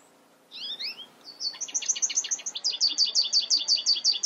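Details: American goldfinch song: a few upslurred twitters, then a fast run of bright, high, wavering notes repeated about three times a second, growing louder and steadier toward the end.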